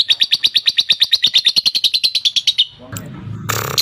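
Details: Fighter lovebird ngekek used as a lure so caged lovebirds start singing: a steady run of sharp, high chattering notes, roughly three per second, for over two seconds, then a short break followed by a burst of broad rustling noise.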